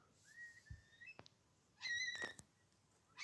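Eurasian Curlew: a clear whistle rising slowly through about a second, then a louder burst of bubbling notes. A few clicks and knocks are heard.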